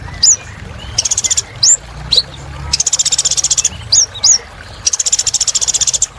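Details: Sunbird (kolibri ninja) in full, active song, played as therapy for caged birds that have stopped singing: high, buzzy rapid trills in half-second bursts alternate with short sharp whistled down-slurs, over a constant low hiss.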